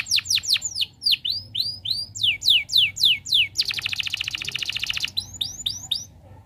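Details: Canary song used as a training recording to get silent canaries singing: fast runs of descending whistled sweeps, then a rapid buzzy trill near four seconds, and more downward sweeps at the end.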